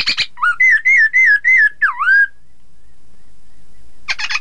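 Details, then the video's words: Chinese hwamei whistling to draw rival birds into song: a brief rattle, five strong slurred whistles and a low swooping note, then quiet before a final burst of rattling. "Terapi poksay hongkong agar lawan ikutan bunyi"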